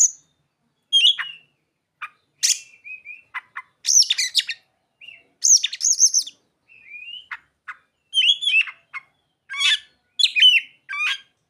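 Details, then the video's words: Long, varied song from an Oriental magpie-robin with mimicked ciblek and sogon phrases: short sharp chips, high squeaky notes, and brief whistled slurs in quick, separated bursts. "Kacer isian burung ciblek dan sogon"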